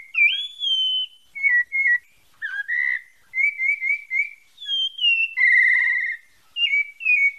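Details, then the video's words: A pale-breasted thrush from Bahia, Santa Fé, opens with a rising high whistle, then gives short paired notes, a harsh rolled flourish, and a string of quick level whistles. A trilled held note and falling slurs close the song. "SABIA PARDA DA BAHIA SANTA FÉ"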